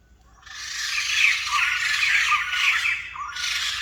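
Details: Rare white-crested laughingthrush calling in a loud, raucous, cackling outburst of overlapping harsh squawks. It starts abruptly after a quiet moment and continues without pause, with a brief dip before rising again.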